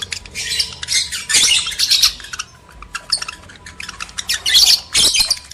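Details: Lovebirds, male and female, trading scratchy squawks and quick chirps to stimulate mating, in uneven clusters with quieter twittering gaps.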